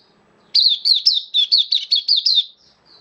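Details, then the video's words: Caged oriental white-eye, a Kitaro bird kept as a hobby songbird, in slightly dipped form, sings a fast string of high, bright, looping whistled notes, about nine in two seconds, clean and close. "Mata Puteh Kitaro Buka Sing"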